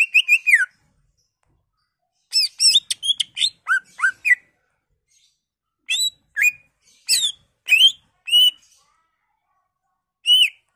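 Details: A greater green leafbird delivers a varied imitation-filled song used to provoke other leafbirds: a falling whistle, then scattered bursts of buzzy, rising and falling whistled notes separated by brief silences.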